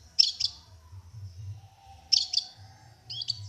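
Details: Long-tailed shrike in a singing contest, winning champion: short bursts of harsh, scratchy high chattering notes, a pair roughly every two seconds, with a faint low hum underneath.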